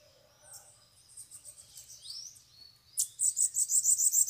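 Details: Several free bananaquits gather at a cage during a bird-catching outing. Thin, very high sweeping notes give way to a fast, sharp trill of about a dozen bright, evenly spaced notes at the end.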